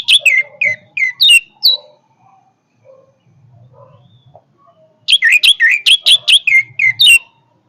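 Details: Powerful song of an orange-headed thrush: quick runs of loud, sharp, down-slurred whistled notes, about six per second, in two bursts separated by a quieter pause with a faint low hum.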